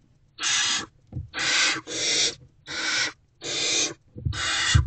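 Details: Six rapid harsh hissing screeches, each under half a second with brief gaps, from hungry barn owl owlets in a nest box on the evening of 3 March 2024 while they wait for their mother.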